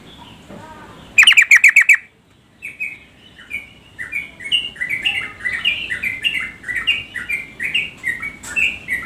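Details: A female yellow-vented bulbul calling to a male gives a burst of five harsh rasping notes, then a run of quick bubbly chirps, about four per second, rising and falling in pitch.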